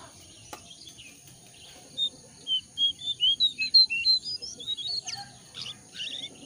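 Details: Jongkangan bird call used as a lure to get wild-caught birds calling quickly: a clear run of short, high chirps, about three per second, stepping upward in pitch and then breaking into scattered notes, with faint insect hum beneath.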